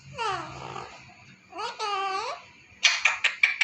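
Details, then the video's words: Pet parrot imitating human words indoors, two drawn-out voice-like phrases followed by a run of sharp, rapid squawking bursts. "Talking Parrot .....My mithu says new word mera kutur kutur ..mai mithu and WHISTLING"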